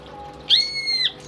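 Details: A single clear whistle from a tame pet greater green leafbird, starting with a bright attack, held steady for about half a second, then falling away, over faint background hiss.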